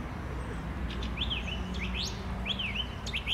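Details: Song thrush in song on a Sunday morning, 11 April 2021, delivering a sharp swooping whistled phrase repeated twice in quick succession, clear and loud against a low droning background hum.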